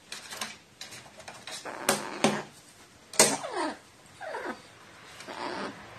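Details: Crow behaving like a nestling after receiving water, recorded 29 March 2018; scratchy, downward-sweeping begging calls mixed with sharp clicks and tapping sounds.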